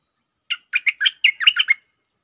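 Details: Streak-eared bulbul singing a lure phrase in the 'Chao Bank' style with doubled notes: around eight crisp, liquid whistled notes in quick succession, rising and falling, with a quiet background.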